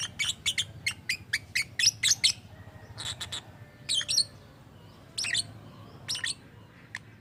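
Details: Strange-sounding lovebird, said to mimic human voices: a quick series of sharp, high, clipped chirps over two seconds, followed by spaced scratchy squawks every second or so, with a faint low background hum.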